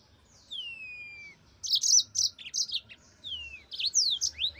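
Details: Yellow-fronted canary (mozambik) opening with a long falling whistle, then loud quick high chirps and further slurred whistles.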